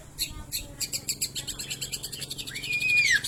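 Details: Long-tailed shrike in full song imitating a lovebird: a quick stream of sharp, high chittering notes, then a clear whistled note that rises and slides downward at the end.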